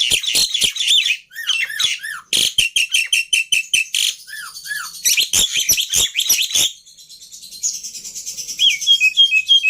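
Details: Black-winged myna song for training other birds: clipped chirps and slurred falling whistles in fast runs, a stuttering rattle, then softer high twittering notes toward the end.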